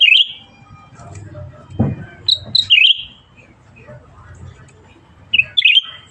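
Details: Singing actively, a Black-headed Bulbul gives short whistled phrases with wavering dips, several seconds apart, and a brief knock between them.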